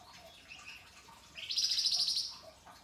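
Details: Flamboyan bird singing hard, a tutor recording praised for rough rasping phrases and sharp, crystal-clear shots. After soft high notes, a loud trill of fast, evenly repeated shrill notes lasts about a second.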